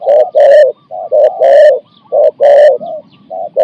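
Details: Competition spotted dove in Thailand delivering a 'khu ang' style phrase of four to five notes: deep, full, rounded coos, some long and some clipped, in a steady rhythm of about one per second, with a quiet background.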